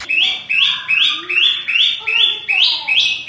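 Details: White-rumped shama, provoked by a rival, giving rough ngerol and dense nembak song: harsh buzzy high notes repeated steadily about every half second, with a lower whistled undertone.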